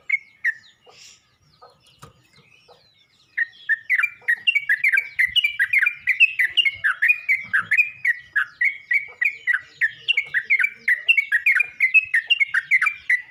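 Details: Yellow-vented bulbul calling to other bulbuls: after three quiet seconds, a long rapid run of bubbly, chirpy notes that dip and rise, repeated several times a second for about ten seconds.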